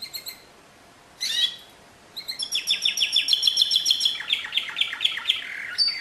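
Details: Singing canary giving brief bright chirps separated by pauses, then a long run of quick repeated notes and a rapid rolling trill, closing with a short high whistle.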